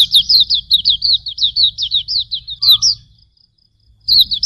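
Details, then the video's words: Hume's white-eye (pleci auriventer) song used as a master recording for training birds: a fast chattering run of high, sharp down-slurred notes about six per second, a brief pause, then the run resumes, with faint low background hum. "Masteran Suara Burung Pleci Auriventer ampuh 100%"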